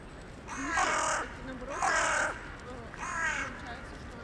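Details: Evening crow in a town centre communicating with others coming in for the night, January 2021: three grating caws spaced about a second apart, the last softer, with faint city background.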